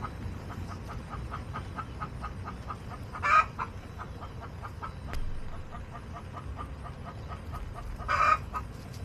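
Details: Backyard chickens on a homestead in late August, hens clucking: soft, short clucks repeated steadily in the background with two louder harsh squawks, plus low rumbling background noise.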